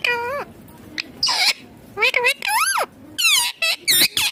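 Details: Rose-ringed parakeet chattering while eating: rapid harmonic squawks and screechy rising-falling notes in quick bursts, some sounding speech-like.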